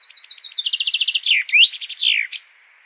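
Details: A common chaffinch sings its full song: a bright run of repeated notes that speeds up and falls in pitch, ending in a flourish, all within about two and a half seconds.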